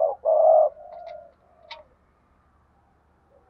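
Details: Spotted dove kept by bird keepers, 'thúc gù' urging coos and calling coos: a loud low hoarse coo, then softer trailing coos fading into quiet.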